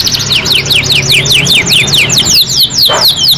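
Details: Canary in full 'gacor' song for training other birds: crisp rising-and-falling whistled notes repeated rapidly, roughly two or three per second, forming a bright rolling trill, with a brief lower squeak near the end.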